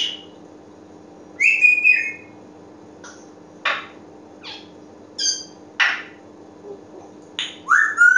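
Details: Pet African Grey Parrot giving scattered short calls: a wavering whistle, sharp clicks and brief harsh squawks at irregular gaps, ending with a rising whistle; quiet room with a steady low hum.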